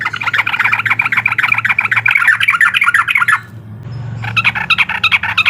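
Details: Sooty-headed bulbul giving the uklik call meant to provoke and agitate a rival; a long run of rapid, harsh, buzzy chattering notes, a short break, then more quick clipped notes, with low background hum.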